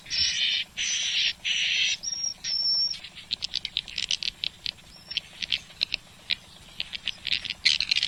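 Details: Swiftlet sound, an original recording from Malaysia used to test a swiftlet house: a few buzzy chattering bursts at the start, then a scattered series of short, sharp clicks and ticks.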